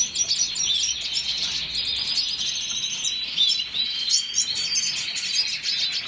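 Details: Red siskin giving a rapid, unbroken warble of thin chirps, sweeping whistles and buzzy rattles, the high twitter holding at an even loudness throughout.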